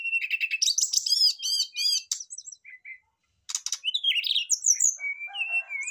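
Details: Brown-chested jungle flycatchers singing hard in reply to each other, with repeated looping warbles about four per second, a short pause, then dense scratchy bursts and thin whistled trills.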